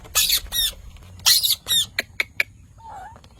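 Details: Parrot uttering a few loud, harsh squawks followed by short sharp clicks and a faint low tonal note near the end, in a quiet setting.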